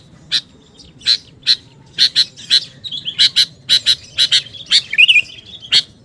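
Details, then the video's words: Sooty-headed bulbul calls for luring birds: a steady series of sharp, clipped chirps, often in quick pairs, with one wavering warbled phrase near the end. "SUARA PIKAT BURUNG KUTILANG GACOR"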